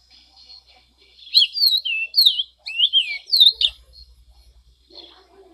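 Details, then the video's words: Orange-crowned oriole song: a burst of loud, looping whistled notes with bending pitch, closely spaced, followed by faint, softer chatter and a low rattle near the end. "O canto do Corrupião de Coroa laranja"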